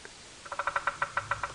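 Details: A Bearded Woodpecker drums on a dead tree in the distance at sunrise in Djuma Game Reserve, Sabi Sand, South Africa, in September: about nine hollow, resonant knocks over one second, the beats gradually spacing out toward the end.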